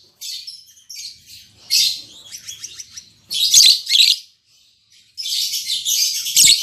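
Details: Newly paired captive lovebirds, albino MM male with lutino MM female, produce shrill scratchy chirps, first in scattered short bursts, then two dense loud blocks near the end.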